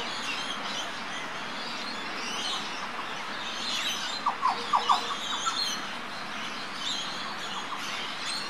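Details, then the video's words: Green oriole, or Australasian yellow oriole, near Port Douglas, Northern Queensland, Australia, 17 October 2013, heard from about five in the morning: a short burst of four or five clear, liquid mid-pitched notes amid a busy background of other birds. "Green Oriole Call"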